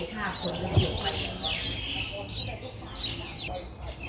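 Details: Nine-day-old Streak-eared Bulbul nestlings, whose eyes opened at seven days, in Ubon Ratchathani, Thailand, on 11 April 2023. They give thin, high, upslurred squeaks, repeated roughly every half second over a low background murmur.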